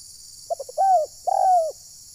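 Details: Spotted dove lure call from trapping at Desa Satu Ujung Batu, Rokan Hulu, said to anger wild birds: three quick clipped notes, then two long mellow coos that bend downward at the end.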